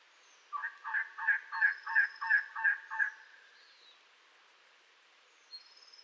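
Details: Elegant trogon giving a run of eight hoarse, resonant croaking notes, evenly spaced about three per second and each slightly rising, then falling silent; faint thin high whistles sound in the background.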